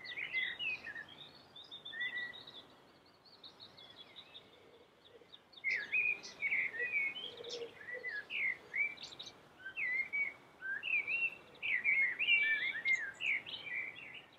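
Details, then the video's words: Common blackbird in sustained, melodious song: repeated phrases of slurred, warbling whistles and high twittering notes, rising in intensity through the second half, with steady background hiss. "suara merdu common black bird"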